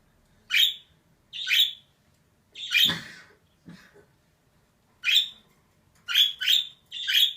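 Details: A female budgerigar squawks in short raspy bursts, some spaced about a second apart and a quick trio at the end, with a couple of duller low knocks in between.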